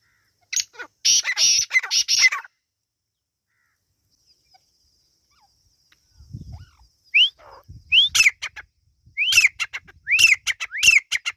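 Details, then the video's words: Partridge chicks, known as Irani teetar, first a burst of harsh grating notes, then after a pause a series of sharp upslurred whistles, each followed by scratchy notes, repeated about once a second. "Irani teetar ki awaz | Teetar ki awaz | teetar chicks sound"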